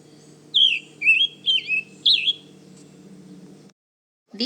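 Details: Male Scarlet Tanager singing high in the forest canopy to establish and defend its territory, Manchester Cedar Swamp Preserve, New Hampshire: four hoarse, burry whistled phrases in quick succession, rising and falling, over a faint low hum.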